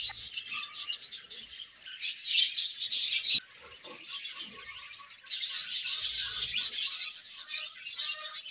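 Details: Budgies in good spirits keep up a steady, bright warbling chatter full of fast clicks and chirps, dropping briefly in volume midway before swelling again.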